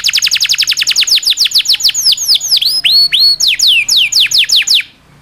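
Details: Song of a local canary, long and rolling, played as a model for oriental magpie-robins, magpie-robins, leafbirds and other chattering songbirds; quick falling high notes, then drawn-out rising whistles, then more rapid falling notes, ending abruptly.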